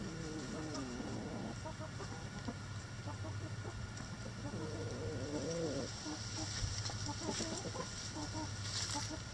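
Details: Backyard rooster in a chicken coop with the flock, crowing: a long harmonic drawn-out call at the start, then a second extended crow a few seconds later, over a constant low mechanical hum with faint scattered clucks.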